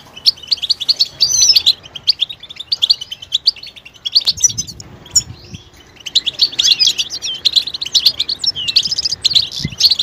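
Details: Goldfinch calls said to push males out of silence into singing: lively high chattering twitters, a short pause around five seconds, then a denser, continuous run of tinkling notes.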